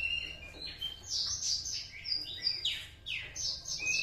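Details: Young Javan Horsfield's bush lark, aged two months, beginning to sing its master song copied from an adult bush lark; rapid high chirps, slurred downward whistles and buzzy trills in a varied, jumbled sequence.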